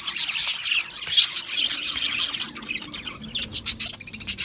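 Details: Australian parrots chattering and squawking, loud harsh squeaks and rapid chirps in a jumble at first, easing into a run of clipped, evenly spaced chirps toward the end.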